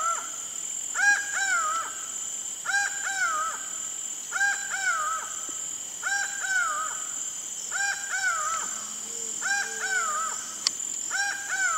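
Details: Laughing falcon (acauã) calling with loud, nasal two-part notes. Each note rises and then falls, and they repeat in a steady series about every one and a half seconds. A constant high-pitched insect drone runs underneath, with a brief low hum near the end.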